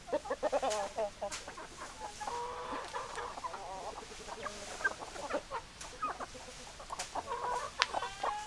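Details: Hens and roosters together: rapid scattered clucks throughout, with a drawn-out harmonic call in the middle and another toward the end, against hissing background noise.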